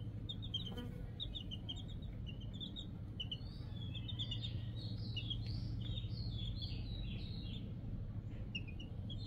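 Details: Four baby chicks peeping: thin, high cheeps in quick irregular strings, some rising and slurred, several birds overlapping, over a steady loud low hum.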